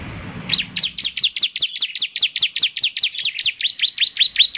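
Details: Bar-winged prinia singing actively: a fast, steady series of sharp high chirps, each a quick down-slurred note, repeated about three times per second for four seconds after a brief low murmur.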